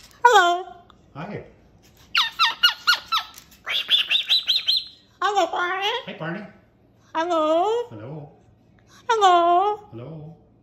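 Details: A pet cockatoo kept indoors gives loud harmonic squawks and whistled calls in bursts, some rising, some stacked rapid notes, separated by short pauses, with faint voices in the background.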